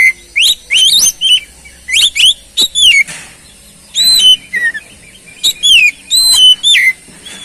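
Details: Oriental magpie-robin singing as a lure to get a stalled bird singing: clear whistled notes, rising sweeps and falling slurs in lively clustered phrases, with a short pause midway.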